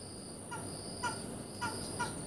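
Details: Oriental pied hornbill, chicks with their parents: four short harsh cackling notes with a strong tonal core, spaced about half a second apart, over steady high-pitched hiss and low background noise.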